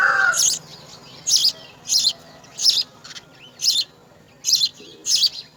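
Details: House sparrow nestlings being fed insects by a parent at the nest, giving high, hissy begging bursts repeated roughly every 0.6 to 0.8 seconds, seven bursts in quick succession over a quiet background.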